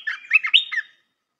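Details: Red-whiskered bulbul song meant for training young birds: one short, rich phrase of slurred, warbling notes lasting under a second, then silence.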